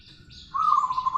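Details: Local zebra dove in full voice giving its long rolling song: a steady, even, mid-pitched purring trill that starts abruptly and holds level, with faint higher chirps behind it.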